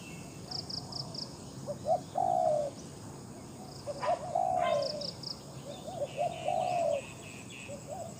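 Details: Captive decoy Spotted dove used in luring, cooing in bouts of short notes and long sliding phrases roughly every few seconds, while a small bird repeats rapid high four-note chirps and other faint calls.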